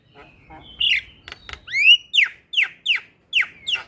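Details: Black-winged myna song used as therapy to coax a silent bird into singing: a long whistle, then a rising slurred note, then a string of sharp falling whistles spaced evenly about three per second.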